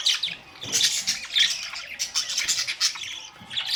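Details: Budgerigars recorded May 2, 2023, filling the air with rapid high twitters, squeaks and grating squawks from several birds, calling almost without a break.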